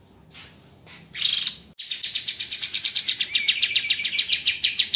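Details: White-rumped shama master recording for training songbirds, dense and rough shots: a short harsh burst, then a fast run of high, buzzy rattling notes pulsing about four times a second.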